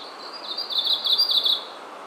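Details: Japanese leaf warbler singing in Japan: a single short, dense, high trill of rapidly repeated buzzy notes lasting about a second, loud and close, with quiet background.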